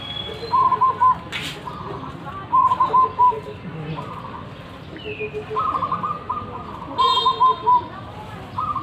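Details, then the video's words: A wild local zebra dove coos in short stuttered phrases repeated every second or two, some phrases higher than others, suggesting more than one bird; a brief flutter and a faint high chirp break in. "Perkutut lokal alam suara besar"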